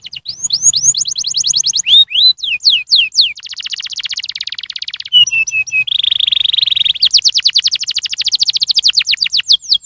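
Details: Canary song used as a lure to prompt other canaries to sing: rapid high trills of repeated notes, quick rising sweeps, buzzy rolls and dense chattering runs, switching pattern every second or two, with no other sounds.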